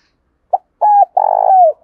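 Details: Spotted dove 'thúc' coo, aimed at rousing wild birds: a tiny soft note, a flat hooting coo, then a long vibrating, rolling coo gliding down at the end, clean and close with a silent background.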